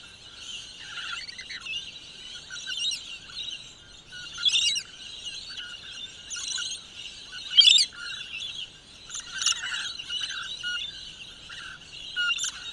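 Rainbow lorikeets chatter with harsh, high screeches and buzzy squeals over a constant shrill background.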